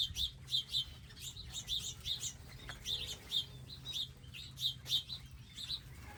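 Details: Garden feeding area with bird feeders, seed and water visited by wild birds; quick high chirps come in close pairs and bursts, several per second, over a faint low hum.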